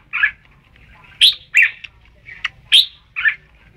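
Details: Red-whiskered bulbul: a scratchy husky note, then a bright sharp chirp and a rougher warble, a thin clipped tick, another ringing chirp and a closing buzzy note; soft low hum underneath.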